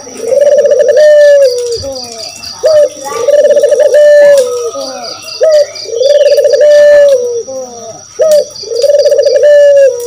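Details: Spotted dove (burung puter, kedis kuteh) calling to provoke other birds into answering: long rolling coos repeated about every two seconds, with a steady high whine and chirps of other birds behind.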